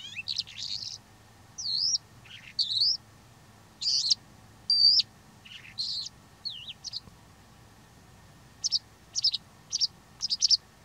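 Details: Greek recording of a Calandra lark singing: spaced phrases of bright chirps and looping whistled slurs, some dipping lower, separated by short pauses, ending with a quick series of sharp notes.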